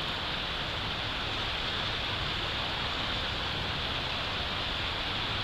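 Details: Steady broadband hiss like rushing wind or rain, with no animal calls.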